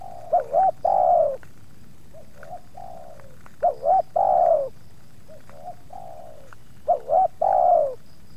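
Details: Spotted dove luring scene with two wild doves approaching a kept bird: three phrases of two quick bouncing notes followed by a long falling coo, spaced about three seconds apart, with quieter answering coos in between.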